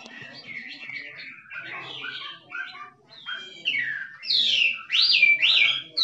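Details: Forest-dwelling Chinese hwamei singing kích trống style, starting with soft, jumbled chattering phrases and building into loud, sweeping whistles that rise and fall sharply toward the end.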